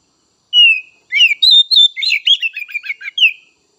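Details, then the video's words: Oriental magpie-robin (kacer bahan and trotol, untrained and speckled juvenile birds) singing to stimulate others. One long falling whistle, then a rapid jumble of short chirps and trills, ending in a single falling whistle. "Merangsang Kacer Bahan dan Trotol!!"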